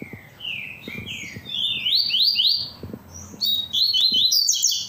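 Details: Tui-tui song from a captive double-collared seedeater singing a lot: ringing high whistles sweeping upward in quick succession, phrases shifting in pitch, with faint low knocks in the background.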